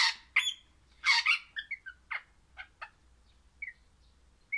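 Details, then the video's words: Crimson rosella, a happy Pennant orange pet parrot, giving loud harsh squawks, then short clipped chirps and brief whistles spaced through the clip. "Happy Parrot Crimson Rossela Pennant Orange Singing"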